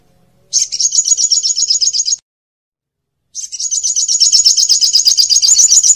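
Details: High, fast trilled song of an olive-backed sunbird used as masteran training material: two long buzzy trills of rapid repeated notes, separated by a second of silence, the second rising and intensifying.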